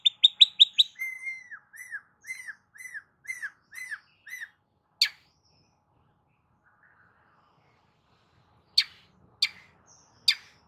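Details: Long-tailed shrike used to provoke a silent shrike to sing: fast scratchy notes, then a series of down-slurred arched whistles about twice a second, a long pause, and several sharp clicking snaps.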